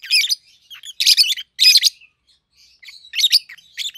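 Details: Two hand-reared peach-faced lovebirds aged 7-8 months, a red-headed green opaline and a red-faced dark green, give loud grating chirps in quick pairs, a short silence, then thinner chirps.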